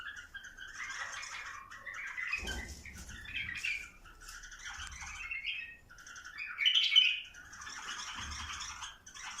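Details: Chattering, uneven bursts from bulbuls encouraged to breed, broken by short pauses, with a loud whistled flourish near the end and scattered low knocks between phrases.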